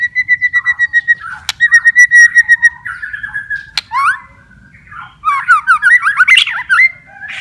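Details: White-rumped shama singing, used to encourage silent or stressed shamas: a long series of rapid repeated whistled pulses, a held note, then a burst of fast tumbling chatter and whistles.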